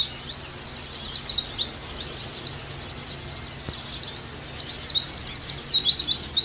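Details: Oriental white-eye singing, used as a tutoring and therapy recording for a singing bird: a fast high trill of identical notes, then sharper slurred chirps, a brief quiet gap midway, then lively twittering resumes.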